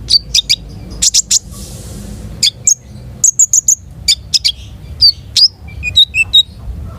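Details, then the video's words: Long-tailed shrike song in full flow: clusters of sharp high chips and short whistled notes, uneven in rhythm, with brief pauses between phrases. "SUARA KONIN GACOR MATERI MEWAH"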